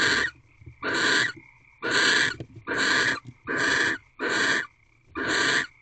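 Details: Nesting-box barn owls, wild, mating at 4:17 am on 4 March 2023, their fifteenth night, at a corral; seven noisy hissing bursts come at a fairly steady pace, about one every 0.8 seconds, with a faint thin tone between.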